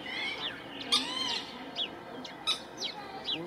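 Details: Moorhens defending their babies and territory give sharp, high, downward-sweeping chirps about every half second, plus a brief warbled mid-pitched note early on, against a constant low hiss.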